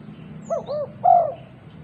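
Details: Female spotted dove, very vocal, calling other doves with a single low cooing phrase of two quick rounded notes and a stronger, longer final coo; faint high chirps from other birds behind.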